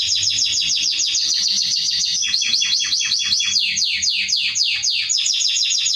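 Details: Canary (Serinus canaria) singing to train young birds: a continuous loud run of rapid, high, downslurred notes in changing series, with brief rolling trills mixed in and a faint low hum underneath.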